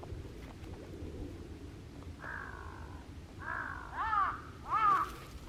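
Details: Wild crow on Okunoshima, Japan, in late May 2025, calling while the island's rabbits all turn alert at once. It gives a drawn-out caw followed by two louder, harsh, arching caws, over a low outdoor background.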